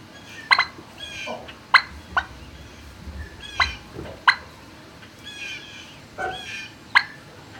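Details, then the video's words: Barn-kept turkeys recorded 26 March 2019 around noon: sharp clucks mixed with rolling, bubbling rattles and a few lower grunting notes, repeated irregularly over a steady low hum. "Turkey Barn"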